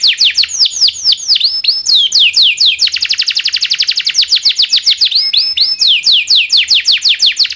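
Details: Domestic canary in full song, a training master recording with a long roll: chains of quick descending whistles, a dense rolling trill mid-phrase, then rising and falling chirps repeated rapidly.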